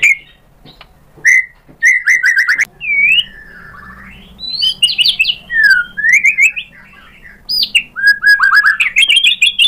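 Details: White-rumped shama (murai batu) in full song: a lively run of clear whistled slurs, some rising and some falling, broken by bursts of sharp rapid chips and short pauses, over a faint low hum.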